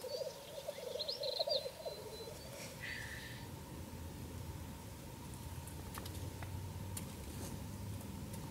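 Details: A black grouse at a lek, recorded from a hide where the grouse gather from evening until morning, gives a low, bubbling cooing for about two seconds, then a brief hissing note, over a steady low hum and a few faint clicks.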